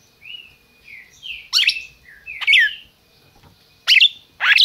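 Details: Red-crested cardinal kept in captivity in Brazil, singing soft whistled slurred phrases mixed with loud sharp downward-sweeping chips, four strong notes spread over a few seconds.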